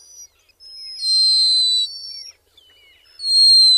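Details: High, thin black guillemot whistles: a long, loud, steady piping note with overlapping fainter tones, a short descending slur, then another strong sustained whistle starting at the close.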